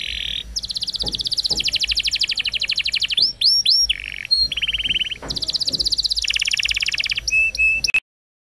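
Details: Canary singing as a training model for young canaries: fast buzzy trills and rapid repeated notes high in pitch, broken by sweeping upslurred whistles and short chirps, several phrase changes in quick succession.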